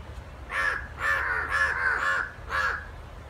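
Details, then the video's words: Two crows fighting produce a rapid run of five raspy caws, three nearly joined in the middle, then a last separate caw, each harsh and nasal with a slight downward bend. "Crow Fight"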